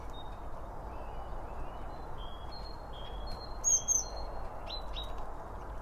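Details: Several birds feeding at a bird feeder, captured by a stereo pair of microphones next to the seed. They give brief high whistled chirps, some rising and some falling, spaced irregularly. One louder piercing note sounds near the middle, over a soft background hum.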